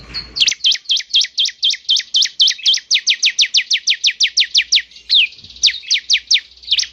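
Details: Bar-winged prinia (ciblek) song played to lure a caged bird into singing: a fast series of steeply falling high chirps, about two per second, with a brief pause and a few more chirps near the end.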